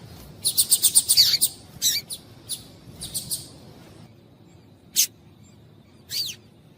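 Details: A female Double-collared Seedeater's call, used to stimulate males to sing: a quick series of high, thin chirps, then scattered single tweets and a falling sweep; nothing else is heard.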